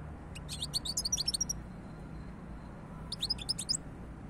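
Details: Rapid liquid twittering from a European goldfinch, two energetic phrases of high chirps about two seconds apart, heard over a low rumbling background.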